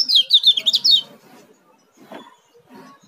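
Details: Young Oriental white-eye from Lombok (kecial kuning) gives a fast, high warbling twitter for about one second, followed by quieter knocks and rustling.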